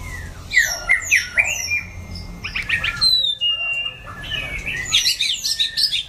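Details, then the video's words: White-rumped shama with orange plumage singing in wild style: varied clear whistles and rich phrases sliding between high and mid pitch, with quick chirps and trills, a low hum beneath. "Chòe lửa lông màu cam hót giọng rừng"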